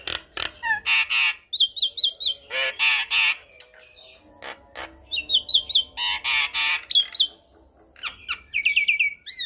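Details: Jalak kebo (Javan myna) in energetic gacor song for training young birds: repeated blocks of harsh chatter alternating with short ringing whistled note series, some rising, and clicking bursts in a varied, looping pattern.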